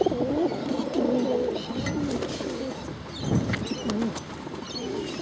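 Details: Bottle-fed pigeons, hungry, give wobbling squeaky begging notes in short clusters, louder at the start and again near the end, amid clicks and rustling.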